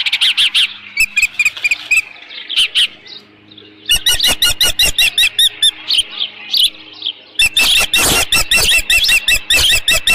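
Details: Late-morning osprey at the nest, 13 June 2018, with leftover fish: bursts of rapid shrill repeated whistles, broken by pauses, ending in a harsh, noisy flurry of chirps.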